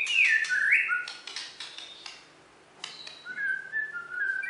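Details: Bornean white-rumped shama, a champion bird from West Kalimantan, gives a loud falling whistled flourish with clicks, a brief pause, then softer level whistles over a faint room hum.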